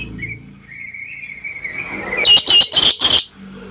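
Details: A black lory in strong voice, used as a lure call for other lories, gives a thin whistled note, then four loud, harsh screeches in quick succession near the end.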